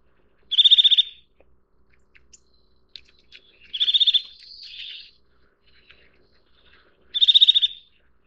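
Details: Three rapid, high-pitched trilled bursts from a Eurasian nuthatch, each about half a second of evenly spaced piping notes. A softer buzzy note follows the middle burst, with scattered faint clicks.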